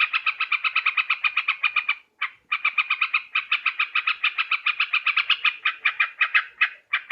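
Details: Yellow-vented bulbul chatter used as a bird-catching lure: dense, rapid, harsh notes repeated without letup, with brief breaks after two seconds and near the end.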